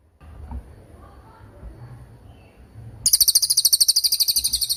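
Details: Lesser forktail song for training other songbirds: after three seconds of low background noise, a fast series of thin, very high repeated notes begins and runs to the end.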